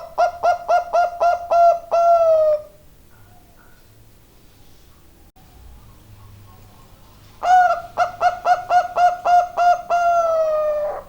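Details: Singing Bangkok zebra dove: twice a quick train of soft, pulsed coos finishing in a long, gently falling note, separated by several seconds of quiet with faint low noise.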